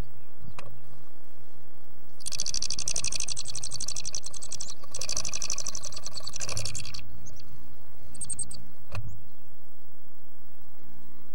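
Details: Black-capped chickadee at a nest box claimed by a breeding pair: two long bursts of harsh, buzzy, rapidly pulsed notes, then a brief buzz, over low rumbling and knocking noise.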